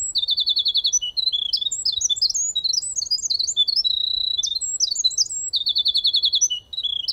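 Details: Winter Wren song, contrasted with the song of the closely related Pacific Wren: a long, tumbling run of high, tinkling trills and rapid bubbly notes, almost without pause; song differences first separated the two groups.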